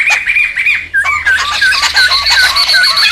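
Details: Laughingthrush calls used for luring and tutoring birds: a noisy run of harsh chattering notes mixed with short wavering whistles, repeated rapidly, with a lower looping whistle phrase joining after the first second.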